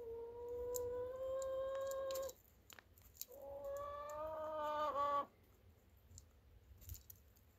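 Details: Chicken uttering two long, drawn-out, harmonic calls, each about two seconds, steady then slightly rising at the end, separated by a short pause with faint clicks and quiet background.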